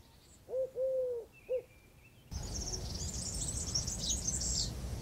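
A dove gives three soft, low hooting coos, short then long then short. Then comes a burst of high, busy twittering from another bird.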